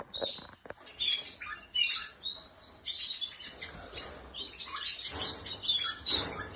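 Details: Canary, Spanish Timbrado, singing broken phrases: clicks, then sharp high whistles and short bright trills separated by gaps, with faint background noise.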